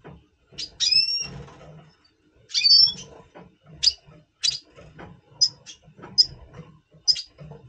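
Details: Red siskin of the double pastel mutation in breeding mood, November 2023: a long nasal wheezy note, a buzzy rasp, then a string of short high pip notes roughly every half second.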